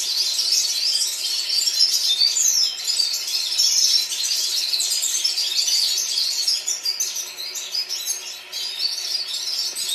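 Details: Group of red-fronted serins singing together in Baku, Azerbaijan: unbroken, high-pitched, busy warbling and chattering from many voices, quick notes tumbling over one another, briefly softer toward the end.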